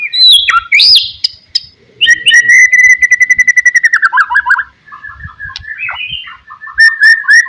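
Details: White-rumped shama song for provoking rivals: sweeping whistles, then a long even trill of rapid repeated notes, a falling twittered phrase and scattered short whistles.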